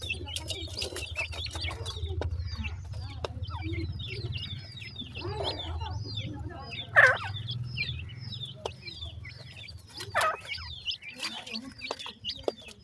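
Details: Four male and one female pheasant feeding; two loud, harsh clucks stand out several seconds apart over a steady low rumble, while many small birds chirp constantly in high, quick notes and light tapping sounds continue throughout.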